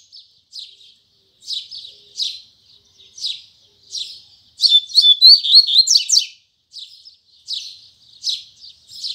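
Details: Double-collared seedeater, the Braddock song style with firm tui tui zel zel phrases, sung in the morning: soft chirps repeated about every second, then a loud rapid burst of whistled and buzzy notes mid-song, then softer chirps again.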